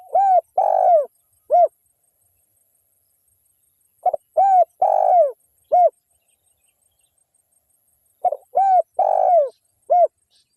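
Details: Local wild spotted dove in a lively lure call meant to provoke other spotted doves. Three cooing phrases about four seconds apart, each a short stutter, a clear coo, a long husky falling coo and a final short coo, over a quiet background.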